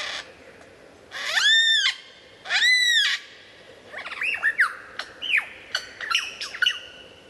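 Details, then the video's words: Lyrebird vocalizing: two loud, arched, harmonic-rich whistles, each about a second long, followed by a quick series of varied, sliding whistled notes. "Lyrebird sound"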